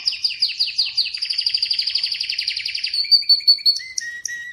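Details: Song of an Atlantic canary: a rapid series of descending sweeping notes repeated several times a second, slowing into separate chips and a couple of clear lower whistles at the end.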